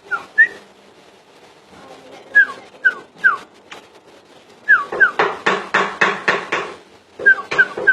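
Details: Common iora giving short, sharp downslurred whistled notes, singly and in pairs, interrupted midway by a run of loud rhythmic knocking or tapping bursts, with faint background noise.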